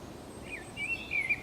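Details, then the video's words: Brief snatch of common blackbird song recorded along the Camino de Santiago at Zamudio on 28 March 2019: a few short, slurred whistled notes in quick succession over a soft steady background noise. "ZOZO ARRUNT BATEN KANTA _2019.03.28_ Turdus merula (Canto de un mirlo común)"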